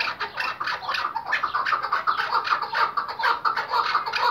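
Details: Hunting chukar from Iraq in a lively calling bout: hoarse, throaty chuk-chuk notes repeated roughly twice a second, building in steadiness toward the end.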